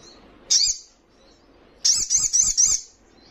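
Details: A young little spiderhunter calls persistently: one sharp high chirp, then a quick burst of four or five rising and falling squeaky notes in a short rattling phrase.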